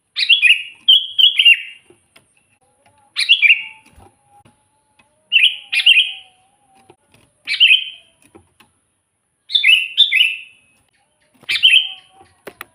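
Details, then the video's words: Sooty-headed bulbul, chatty lure song for trapping wild bulbuls; six short gurgling phrases of warbled whistles repeated roughly every two seconds, with a faint steady hum underneath. "suara burung kutilang gacor full buat pancingan kutilang pikat"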